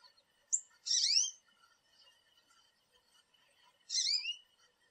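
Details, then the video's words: American goldfinch visiting a backyard thistle and sunflower feeder; a short high note leads into a bright rising slurred call, then silence and a second similar upswept call three seconds later. "American Goldfinch Call, Song And Sounds"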